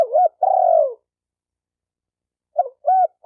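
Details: Spotted dove call for training a freshly caught bird: a looped coo and a long, burry, gently falling coo, then after a pause the start of the next phrase with short rounded coos; quiet background.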